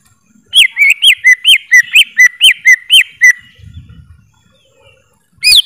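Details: Greater green leafbird singing a rhythmic series of loud whistles, rising and falling slurs about four per second. A short pause with a low rumble follows, then another whistled burst starts.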